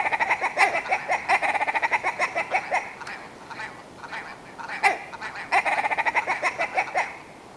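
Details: Willow ptarmigan, male and female birds, delivering two long bouts of rapid, hoarse, rattling clucks, each series running evenly then trailing off, with a sharp accented note between them.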